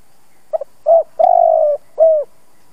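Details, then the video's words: Veteran decoy spotted dove, a lure bird kept to stimulate other doves into cooing: a quick stuttered double note, a short low coo, a long rolling trembling coo, then a final falling coo, all mid-low and hollow, with a quiet background. "Tiếng chim cu gáy kích bổi"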